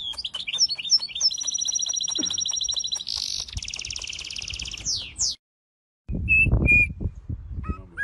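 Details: Songbirds singing a busy, varied song of rapid high chirps and long buzzing trills. After a short silence come a few thin whistled notes over low rumbling background noise.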